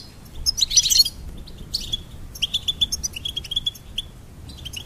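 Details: Goldfinch song: a loud burst of dense, buzzy twittering, then a string of short, clipped, high chirps repeated several times a second, with a few scattered notes near the end.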